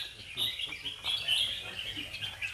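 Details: Several Red-whiskered Bulbuls in a song contest in Bình Dương, Vietnam, judged on their singing, sing over one another in a dense chorus of bright, quick warbled phrases above a faint murmur of people.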